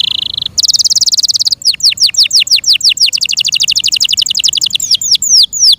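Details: Yorkshire canary song: a short trill, a bright rapid rolling trill, then long runs of fast downward-sweeping whistled notes, speeding up in the middle and slowing at the end.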